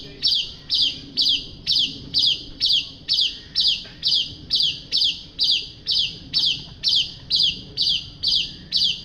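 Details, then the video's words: Master song of a white-rumped shama, meant for tutoring other birds: a long, very regular series of rasping high chirps, roughly two per second, repeated unchanged throughout with a low hum behind. "Masteran murai jalak suren gacor"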